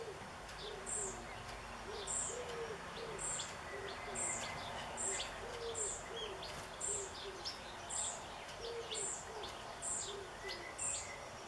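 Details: Young European pied flycatcher in a backyard on 7 June 2013, calling for a parent: thin, very high notes repeated about once a second, with a dove's soft low cooing and other birds faint behind.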